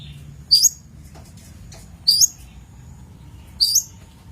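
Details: Long-tailed shrike on a training master recording, giving three very high, twisting whistled notes, each rising at the end, spaced about one and a half seconds apart.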